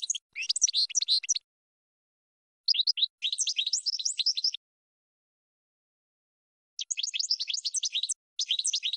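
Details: Cage-bird training recording of a European goldfinch singing dense, buzzy twittering phrases about one to two seconds long, separated by pauses of one to two seconds; no other sounds.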